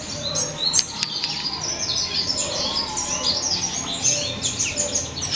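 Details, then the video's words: Juvenile red siskins, from a classic male and a mutation female, give a dense, continuous twittering of thin, high chirps and buzzy notes that overlap throughout, with a few lower warbled notes beneath. "Red Siskin Chicks"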